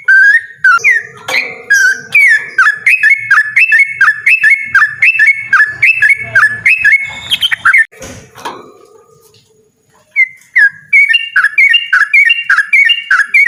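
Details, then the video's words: Yellow-vented bulbul delivering a loud, persistent song in the 'ropel' style: rapid, bubbly, repeated chirping notes that rise and fall. After a harsh rattling burst the song stops briefly, then resumes. "burung trucukan ropel ngotot suara lantang"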